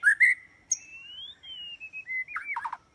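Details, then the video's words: Song of a white-rumped shama used as a trap lure, loud and clear: brief bright notes, a long whistle rising then gently falling, and a few rapid curling phrases at the end. "Jebakan burung murai batu"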